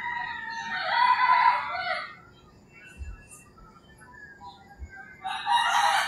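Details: Early-morning rooster crowing in the rural Philippines. A long harsh crow opens the recording and another begins near the end, with faint bird calls and low thumps in between.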